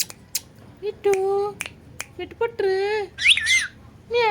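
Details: Talking parrot imitating speech indoors: short harmonic, voice-like syllables with wavering and rising inflections, separated by sharp clicks and snaps, ending in a high squeaky whistled phrase.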